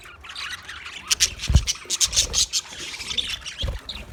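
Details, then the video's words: Budgerigars chirping: scattered short buzzy chirps and squawks with irregular bursts, plus a few low thumps and scratchy noises. "sounds of budgies chirping"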